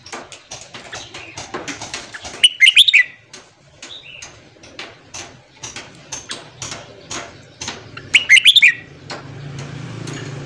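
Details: Red-whiskered bulbul morning song, used for voice training and to fire up newly caught wild birds: two short bursts of quick, bright whistled notes, about six seconds apart, over steady clicking and tapping and chatter from other birds.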